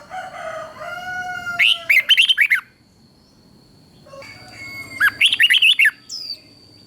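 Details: Red-whiskered bulbul in Thailand delivering southern master-style song for exciting other birds and teaching youngsters. Two separate phrases of quick, chirpy, looping whistles arrive about three seconds apart, each preceded by a softer drawn-out lower whistle.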